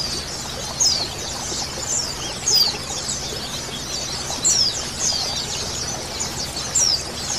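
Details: A colony of female and male white-eyes gives high, thin chirps and short squeaky notes, overlapping in busy chatter with bursts every second or two over a steady hiss.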